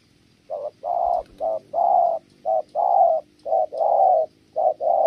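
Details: Spotted dove coos low and steady, pairs of a short note then a longer hoot repeated about once a second, a female said to break into the cooing.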